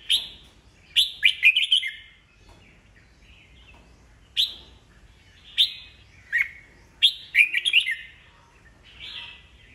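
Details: Old wild-caught red-whiskered bulbul, kept as a cage bird, singing to provoke rivals into competitive singing; loud bursts of clear whistled phrases sliding between high and mid pitch, grouped in short rapid clusters every two to three seconds.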